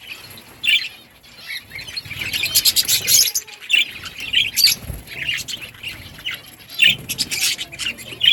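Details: Budgerigars feeding on green food give scattered high, sharp chirps and soft twittering. A burst of rustling, fluttering noise comes early on, then the calls continue irregularly with short gaps.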